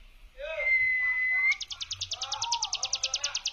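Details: Hill prinia 'brem' song for luring: a level whistle and low notes give way to a rapid series of buzzy pulses about three per second.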